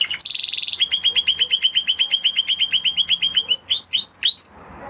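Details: Spanish Timbrado canary, an original breed, singing: a brief buzzy trill, then a long run of fast repeated downslurred whistled notes, shifting near the end to higher, sharper rising phrases.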